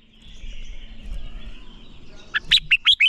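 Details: Training song of a red-whiskered bulbul, played to fire up birds for fighting song. A soft hazy background builds until a quick phrase of five loud, bright, down-slurred notes closes the clip.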